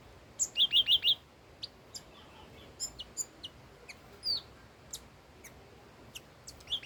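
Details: Old wild red-whiskered bulbul in song: an opening run of five quick whistled notes, then scattered single chips and short downslurred whistles with pauses between.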